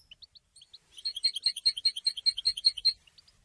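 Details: European goldfinch after moulting: a few soft chirps lead into a regular, fast series of bright warbled twitter notes for about two seconds.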